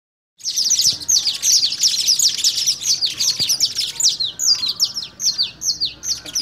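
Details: Canary in fogueo (song training) at Pelaya, Cesar: a dense, continuous run of high, rapid chirps and trills with sharp downslurred notes, steady throughout after a brief silent start.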